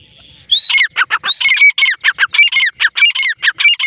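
A female grey francolin gives loud, harsh, squawking notes, about four a second, in a steady run of roughly fourteen. A faint hum precedes the calling.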